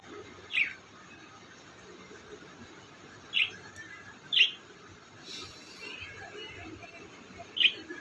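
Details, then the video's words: Colourful parrot giving short high chirps, four separate notes spaced irregularly over eight seconds, with low background hum. "Beautiful color parrot and chirping sound"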